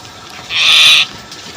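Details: Common myna (Acridotheres tristis) gives a single harsh, rasping alarm scream, about half a second long, at dawn after a stormy, rainy night, as mynas gather around a chick that fell from its nest in a bamboo grove.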